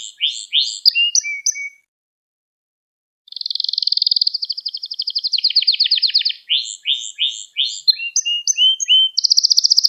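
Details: A canary sings a lesson-style song for young birds. Repeated upslurred chirps and short whistles give way, after a two-second pause, to a long bright rolling trill, more chirp phrases and a final high buzzy tour.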